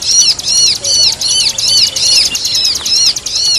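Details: Bar-winged prinia (ciblek) signature song combined with the pinched 'kejepit' bird sound, used for training songbirds: dense, bright arched chirps repeating rapidly at about two and a half per second, almost without pause.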